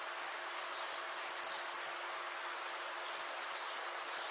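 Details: Green iora calling, played as a bird lure: two bursts of high slurred whistles each falling in pitch, separated by a short quiet gap, with constant background hiss.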